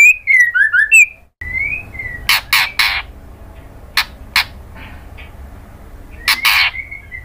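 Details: Female white-rumped shama kretekan aimed at a male: a short run of swooping whistles, then quieter whistles mixed with harsh, raspy bursts spaced irregularly over several seconds.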